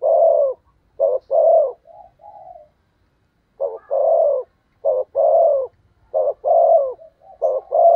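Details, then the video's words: Decoy spotted dove luring wild doves with loud coos, short note then drawn-out coo repeated in a steady run, broken by a brief pause and softer murmured notes. "Chim Cu Mồi/ cu gáy thúc gù cực đỉnh kích bổi dợt mồi hiệu quả"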